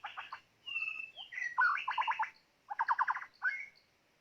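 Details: Decoy white-rumped shama delivering varied song: quick rattling trills of repeated notes, a long pure whistle, and rich fluty phrases with short pauses between.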